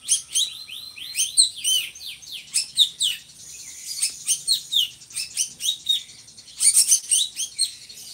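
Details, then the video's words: Energetic drongo song from a bird kept for tutoring other cage birds: dense run of high, scratchy chirps and falling whistled notes, about four per second, delivered in uneven bursts with short gaps. "SRIGUNTING GACORRR"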